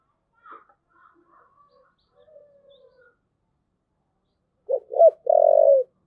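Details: Faint scattered murmurs from a spotted dove give way to a loud thúc gù phrase: two quick short notes, then a long sustained low coo.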